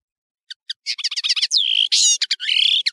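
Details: European serin, called nino in Algeria and camacho in Morocco, recorded as a clear song-tutoring tape: a few isolated high notes, then a rapid glittering jingle of buzzy, tinkling notes with a drawn-out rasping phrase near the middle.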